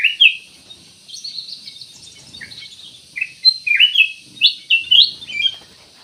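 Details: Black-crested bulbul giving sharp, bright chirps and quick slurred notes, scattered at first, then a lively cluster of upward-sweeping notes near the end.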